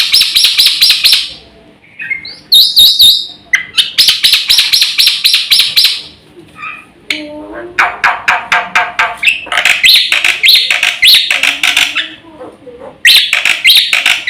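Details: Actively singing black-winged myna with a varied repertoire, recorded as a lure and tutor for training birds; long loud stretches of dense, scratchy, high chattering broken by short pauses and a few brief whistles.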